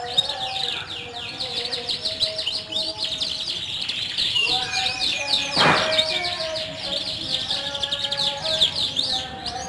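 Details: Group of caged young canaries singing to coax silent canaries into song: a long, unbroken wash of high twittering and trilled notes, with a short broadband noise burst midway and faint background voices.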